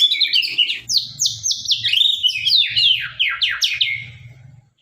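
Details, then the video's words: Sabang-line white-rumped shama, a caged bird in full gacor voice, delivering a dense stream of sharp high swooping whistles and quick downslurred notes, several per second, fading at the end over a quiet low hum. "murai batu gacor murai sabang suara tajam"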